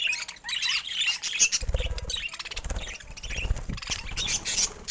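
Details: A flock of pet budgerigars fills the air with dense, overlapping high twittering and chirps, steady throughout with soft low thuds.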